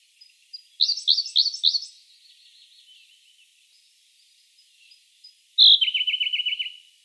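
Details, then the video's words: Song of a Siberian blue robin (Luscinia cyane): a burst of four or five loud, high, chopped notes, faint thin twittering, then a sharp high note leading into a fast, even trill of about eight notes. "Как поёт синий соловей"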